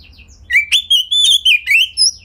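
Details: Oriental magpie-robin kept in a house, singing a gacor lure phrase for other magpie-robins to answer: sweet, quavering whistles joined in a fast run, with faint softer notes before it and a low background hum.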